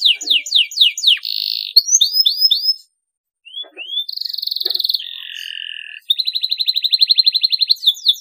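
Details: Singing canary used to prompt mute birds into song: quick downward-swept notes and short trills, a brief pause, then a steady buzzy trill, a lower two-toned phrase and a final rapid rattling trill.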